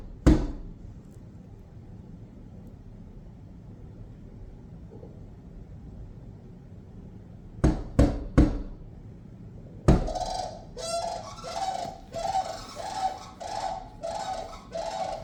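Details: A family of cranes visiting a house bird feeder: one knocks sharply on the window glass, then the cranes give a run of low, rolling, slightly rattling calls in quick bursts over the last few seconds.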